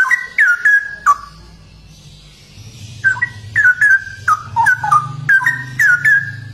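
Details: Straw-headed bulbul (cucak rowo), described as rare, singing bursts of rich, bubbling whistled notes that slur downward and are clipped by sharp ticks. A brief pause of about two seconds is followed by a denser run of phrases, with a low hum underneath.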